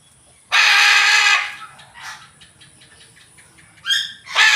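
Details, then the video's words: A macaw gives a loud, harsh, raspy screech lasting about a second, then fainter squawks and a second rough screech near the end. "Macaw Exotic Parrot, Macaw Sound"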